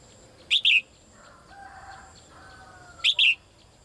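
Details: Female bird calling the male, a daily caller: two high, bright double chirps about two and a half seconds apart, each a short note then a longer falling one, with faint lower tones between.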